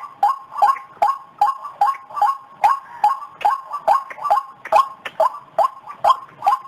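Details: Lure recording of white-breasted waterhen: a steady chain of harsh, nasal notes, sometimes paired, about two and a half per second, the rhythm loosening slightly near the end.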